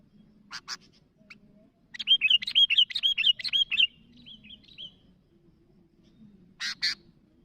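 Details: Sooty-headed bulbul calling to other birds, giving a lively run of about ten bright looping chirps over two seconds, trailing into softer slurred notes, framed by a few sharp clicks and faint low hum.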